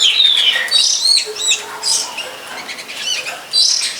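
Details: Wild long-tailed shrike behind a friend's house, near a longan orchard where it may be breeding. Busy high song of scratchy arched notes and a long falling whistle, with short bursts separated by quiet gaps.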